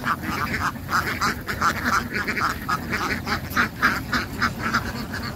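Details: Ducks quacking in a fast series of clear, nasal, clipped quacks, roughly three or four per second, with a steady murmur of other ducks behind.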